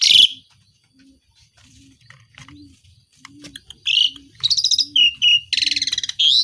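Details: Asian pied starling singing in full voice, its song filled with mimicry and harsh besetan passages: scattered chirps, then loud buzzy rasping bursts and a fast rattling series near the end, with soft regular low pulses in the background.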